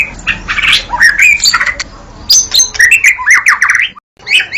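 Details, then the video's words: White-rumped shama song mixing buzzy rasps, bright whistles and quick high chips in a busy stream, ending with a sudden brief silence and one more burst. "suara murai batu"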